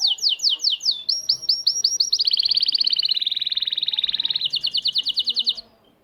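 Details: Syrian local canary song played to teach and motivate young chicks to sing: fast downslurred whistled notes, then an extended rapid high trill lasting over two seconds, ending in another run of sweeping repeated notes.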